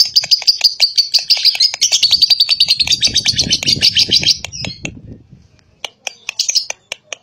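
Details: Lovebird calling, played as a lure for young birds to respond: a long fast stream of shrill chattering notes lasting several seconds, then a pause and scattered sharp chirps and clicks; low rumbling underneath.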